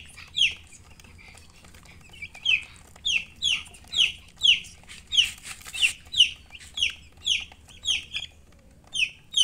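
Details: Chicks chirping: loud, high descending peeps repeated in quick, uneven bursts, about a dozen over nine seconds, with a brief noisy rustle in the middle and a quiet background.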